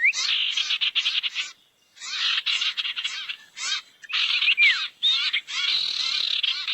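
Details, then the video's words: Barn owl lure sound meant to attract owls to gather: long, raspy, hissing screeches in separate bursts, broken by brief silences, with a couple of short falling whistles. "SUARA PIKAT BURUNG SIRTU NGUMPUL"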